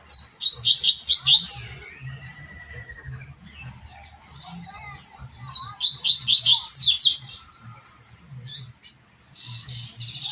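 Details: Double-collared seedeater singing a 'tui tui' style song, used for training captive birds: two bursts of rapid, high, sliding chirped notes, each about a second long, over a steady low pulsing hum, with scattered faint chirps between.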